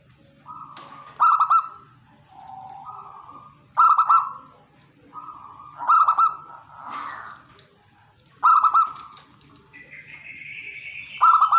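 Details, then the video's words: Local perkutut, or zebra dove, from Tegal, Indonesia. It repeats soft level coos, and each is followed by a bright stuttered burst, about every two to three seconds. A higher rising note briefly overlaps near the end. "perkutut lokal Tegal"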